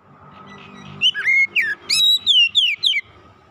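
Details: Oriental magpie-robin kept at home, after a second of low rumbling noise, bursting into loud whistled song of slurred descending notes and short sharp chirps, with a faint background hum.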